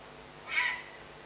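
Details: Eurasian eagle-owl on a nest webcam, May 19, 2020, calling possibly while hunting: a single hoarse, slightly falling screech about a third of a second long over steady background hiss.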